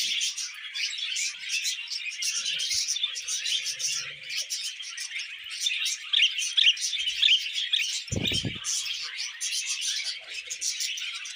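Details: Indoor budgerigars singing as they eat vegetables: rich, rapid chatter of squeaks, clicks and tinny whistles without pause, plus one short loud crunch or knock just after eight seconds.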